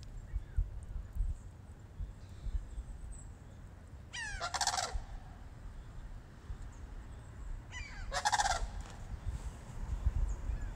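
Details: At Moosewood, two visiting sandhill cranes let out two rolling, trilled calls about four seconds apart, each opening with quick rising notes, against a quiet low rumble.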